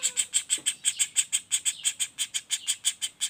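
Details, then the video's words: Non-stop rolling calls of a young common flameback: harsh, evenly paced notes nearly three a second, with a faint brief whistle at the start. "Suara Pelatuk Bawang Anakan Roll speed tanpa jeda"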